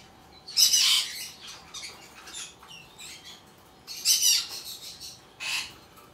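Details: Raspy hissing squawks from a hand-tame albino cockatiel chick in Fukuoka, Japan, 28 August 2023; a loud harsh burst, softer scratchy notes, then two more grating bursts several seconds later in a quiet indoor setting.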